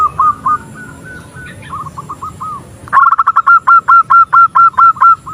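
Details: Zebra dove hen calling a male: soft repeated phrases at first, then a loud, steady series of short clipped notes at a fixed pitch, about two per second, evenly spaced and sharp-edged.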